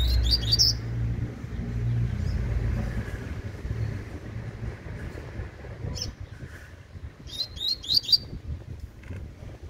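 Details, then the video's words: Young Double-collared Seedeater singing tui tui: two bursts of four fast, high, piercing notes, at the start and near the end, separated by low rumbling background and a few clicks. "FILHOTE DE COLEIRO TUI TUI"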